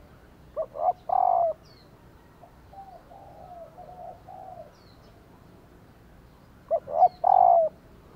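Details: A female spotted dove gives soft, low coo phrases meant to stir males into calling back; used to trigger male doves' cooing.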